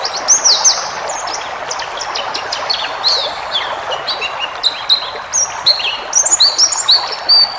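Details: White-eye tutor song for caged birds: jumbled high chirps building into a livelier sequence of clear whistled notes and quick twitters toward the end, over a steady background hiss.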